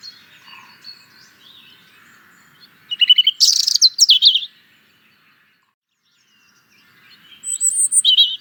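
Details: Robin-type song outdoors: a loud burst of rapid, high twittering trills in the middle, then quiet, then a thin high whistled phrase, with faint distant birdsong underneath.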